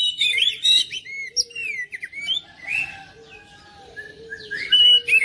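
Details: Oriental magpie-robin song used to coax a reluctant bird into singing: bursts of varied whistles, chirps and slurred notes alternate with softer gaps, and a faint low hum runs underneath.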